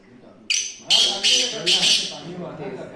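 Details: Black francolin (kala teetar) calling: a loud sequence of three or four rasping, buzzy high notes in quick succession, with low murmuring voice in the background.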